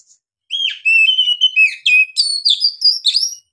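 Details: Long-breath ngeplong song of an Oriental magpie-robin (kacer): a continuous three-second flow of sweet whistled notes, opening lower and slurred, then climbing into higher, quick ringing phrases.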